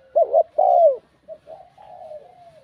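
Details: Captive spotted dove giving a bell-like coaxing coo: two loud, low, mellow coos, the second drawn out and falling, followed by softer trailing cooing notes.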